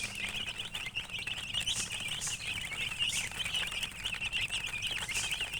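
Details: A crowd of baby chicks peeps in high, wavering chirps, a continuous busy chatter accompanied by pattering and scratching noises.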